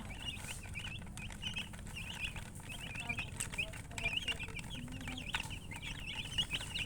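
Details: Chicken chirping, many quick high peeps packed together in steady runs, some with sharp downward slurs, over a low background rumble.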